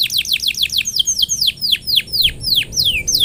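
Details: Canary singing vigorously, used to coax other canaries into song: a fast string of high falling whistled notes, loud and clear, slowing slightly toward the end.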